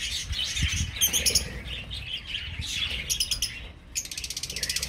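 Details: An aviary colony of budgerigars chatters in busy high twittering, with bursts of rapid, fine clicking trills and wing flapping among the many overlapping voices.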